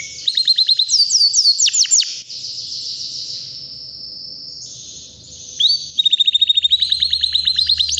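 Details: White canary, three years old, singing powerfully: swooping whistles and quick trills, a long sustained high buzzy tone, then a fast rattling trill of repeated notes.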